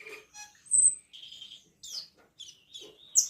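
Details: Black-winged myna, kept in the songbird hobby, singing, recorded 10 March 2025: scattered high whistles and short buzzy notes with brief gaps, a sharp rising squeak near the end.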